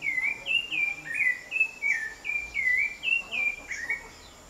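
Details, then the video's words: Thrush (sabiá) singing freely in a home backyard in Brazil: clear whistled phrases around the upper-middle register, slurred and rising-falling, delivered in quick succession with short gaps, a faint steady high hiss in the background. "A MAJESTADE O SABIÁ NO QUINTAL DA MINHA CASA"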